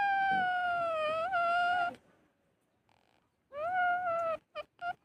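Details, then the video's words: Talking parrot giving a long, drawn-out, meow-like call of about two seconds, then a quiet pause, a second wavering call with a rising start, and a quick run of short clipped notes. "बोलने वाला तोता पक्षी"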